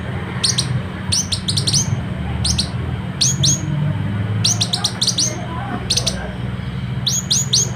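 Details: West Sulawesi citrine canary-flycatcher, locally sikatan matari, used to train competition birds: quick clusters of thin, very high notes and rising whistles in irregular bursts, with a low droning hum underneath.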